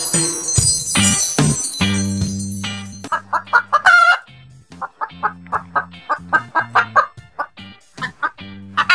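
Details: Hen presented as a farm animal for children learning farm animal sounds: a run of short, sharp clucks repeated roughly twice a second, over steady background music with a loud musical opening.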